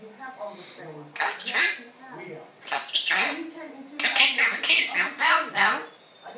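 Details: A female pet African grey parrot chatters on indoors, running through mumbled speech-like phrases in short bursts, with pauses between rapid, word-like syllables.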